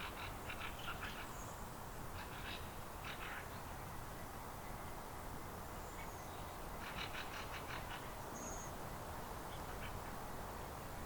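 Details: Eurasian nutcracker recorded in September 2023 in a Finnish cemetery. Scattered series of rough, rasping calls carry over heavy low background rumble, with a few faint thin high whistles.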